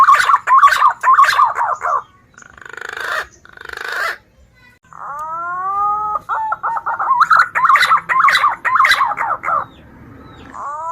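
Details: Green pigeon lure sound for attracting females when hunting: rapid warbling chatter, a rough noisy break, then rising whistled notes leading into further quick chattering phrases and a final short whistle.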